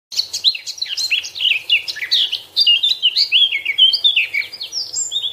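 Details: Eurasian blackcap singing: a continuous, fast warble of varied whistled and chattering notes, dense at first, then shifting into clearer, higher fluting phrases toward the end, with no other notable sounds.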